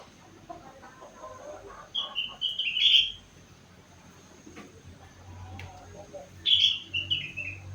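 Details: Young sooty-headed bulbul, aged four months, giving rengganis-style mimicked song: two separate brief bright phrases, each a sharp note followed by a falling whistle, about four seconds apart over a low background hum.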